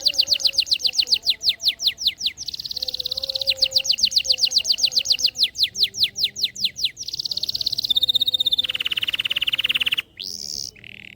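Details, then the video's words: Canary song used as a lure to stir lazy canaries into singing: fast rhythmic runs of high, sweeping chirps, several rolling trills and a sustained buzzy note, with faint low tones underneath. "masteran KENARI paud pancingan KENARI malas bunyi"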